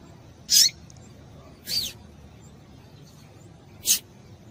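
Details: Female double-collared seedeater calling to stimulate males to sing: three short, sharp, high chips spaced irregularly over about four seconds against quiet background hiss.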